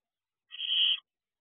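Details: Single rough, breathy screech of half a second from a barn owl owlet at the nest box around midnight in early June 2023, against silence.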